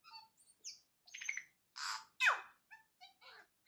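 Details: Tui singing at dawn, a varied phrase of pure whistled notes, a bright descending slur, harsh broadband rasps and short clicks, with brief pauses between elements over about four seconds.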